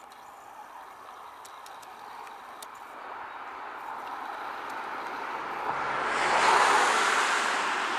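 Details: Quiet ambient hiss with a few faint clicks swells into a broad rushing noise, like a passing vehicle or wind, and no animal calls are heard.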